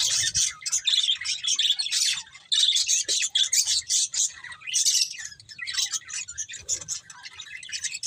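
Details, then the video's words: Budgerigars chirping: dense, scratchy, high-pitched chatter of rapid chirps and warbled notes in overlapping bursts with short pauses, a few harsher squawky notes mixed in, and a faint low rumble underneath. "Beautiful Budgies Chirping Sounds"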